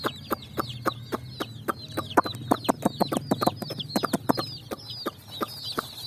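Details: Colourful chicks jumping and running on sand, their high, downslurred peeps heard behind a rapid series of sharp tapping knocks that dominate the scene.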